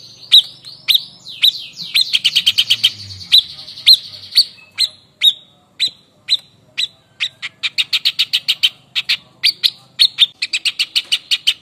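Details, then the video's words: A white-chested babbler (Stachyris grammiceps), a Javan endemic, gives sharp, high chirps in quick runs and clusters, several notes a second with brief pauses, over a faint low hum. "TEPUS DADA PUTIH GACOR NEMBAK VARIASI"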